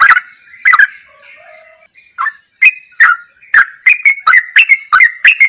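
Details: Yellow-vented bulbul song for training caged birds, ropelan goklikan style: scattered sharp chirps with a soft low whistle early on, then quickening into evenly spaced bright, clicking notes.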